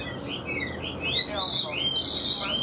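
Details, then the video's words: Singing pet Chinese hwamei: soft short notes followed by long, high, rising and falling whistles, loud and clear above a faint hum. "Họat Họa Mi"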